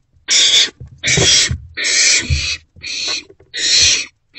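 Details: Owlet in a nest box at night, about 1:40 am on 27 March 2024, eating a vole delivered by a parent: harsh, hissing screeches about half a second long, repeated five times with short gaps and low rustling beneath.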